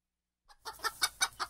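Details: Chicken clucking: after one soft lead-in note, five short, clipped clucks come in an even rhythm about every fifth of a second, with no other sounds.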